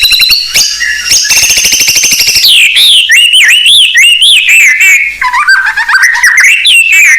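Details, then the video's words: Singing Blorok white-rumped shama used to lure other shamas: long high rattling trills, then a continuous stream of rising and falling whistled warbles. "Murai Blorok Gacor Bongkar isian Pancingan Burung Murai Batu Bahan"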